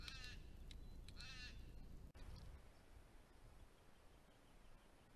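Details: Sacred kingfisher heard in the warmer months in south-eastern Australia, returning in spring from further north to set up a breeding territory. A short run of three harsh, scratchy notes opens, then a sharp knock and quieter outdoor background.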